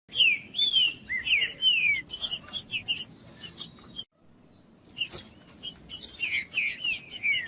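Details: Green-winged saltator singing in the bush, used for warming up a quiet captive bird: bright whistled phrases of falling slurred notes, a brief pause midway, then more slurs, over a steady thin high whine and scattered clicks.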